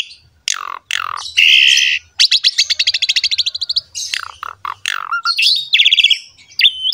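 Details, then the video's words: Masteran song of an Asian pied starling, used to coax other starlings into singing: buzzy rasping bursts and downslurred whistles, then a rapid train of repeated clicky notes, followed by mixed whistles and chattering phrases. "MASTERAN BURUNG JALAK SUREN GACOR ISTIMEWA"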